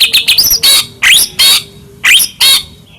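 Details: White-rumped shama kept in a cage, singing as a lure to agitate other shamas: quick twittering notes followed by loud buzzy rasping bursts about every half second.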